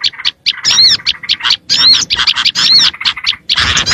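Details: Oriental white-eye lure recording for attracting small birds: short, clipped high chirps and quick arched whistles separated by brief gaps, ending in a buzzier burst.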